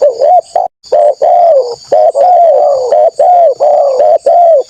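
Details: Spotted dove call played as a lure to draw out wild rival doves: low, mellow cooing phrases repeated in quick succession, each a rising then falling hooked coo, nearly continuous with brief gaps, over a steady high insect drone.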